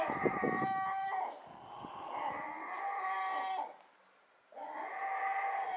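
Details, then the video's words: A gull, possibly a female, gives three long, harsh, nasal screaming wails with brief pauses, after low rumbling and clatter, at a harbour on Rügen; it seems to follow and stay close to another gull, perhaps a male. "Loud and Clear: The Surprising World of Seagull Talk"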